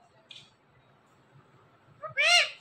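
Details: Talking parrot: after a faint squeak and a pause, one loud word in two parts, a quick clipped syllable then a rich, rising-falling voiced one.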